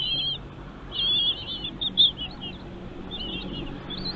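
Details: Chicks in a nest being fed by their parents: thin, high wavering chirps in short bursts, a louder cluster around the first second and another near two seconds, with quieter trills later over a steady low background hum.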